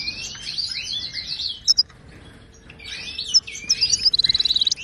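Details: Moroccan goldfinch singing the Wadani style, a tutor recording for caged birds: a rolling twittered phrase, a brief pause, then sharp chirps leading into a fast, even, ringing trill at the end.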